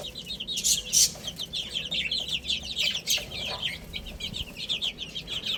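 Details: Chicks eating and playing together: a steady chorus of high, bright chirps, densely overlapping, with occasional louder cheeps and faint rustle.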